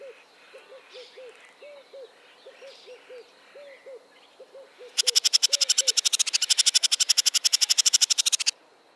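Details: Male Crested Barbet song, its distinctive trilled rattling call: a loud, dry, rapid rattle of about eight pulses a second for over three seconds, preceded by soft low repeated notes from another bird.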